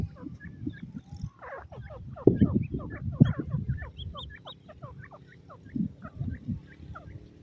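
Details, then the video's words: Black francolin chicks, several together, giving many short high peeps, each a quick downward-slurred note, in rapid overlapping bursts that thin out toward the end, over low thumping and rustling noise. "teetar k chost bachay,irani teetar k bhuray bachay,pheasant sound"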